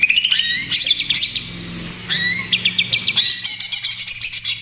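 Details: Greater green leafbird singing hard in trotol style, a lure and therapy sound for other birds: rising whistles and twittering phrases, then quick series of sharp repeated chips, over a steady low background hum.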